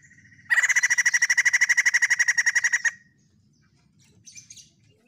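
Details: White-crested laughingthrush singing in full, piercing voice: a sudden loud burst of rapid pulsed chatter lasting over two seconds. Quiet follows, with a few faint, soft, high notes later.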